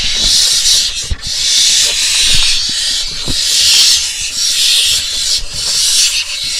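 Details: Barn owls in a nest box in Israel, filmed 4 July 2021 as parents deliver two voles under two minutes apart; dense overlapping harsh hisses run almost continuously, swelling and fading with brief dips, with faint low knocks beneath.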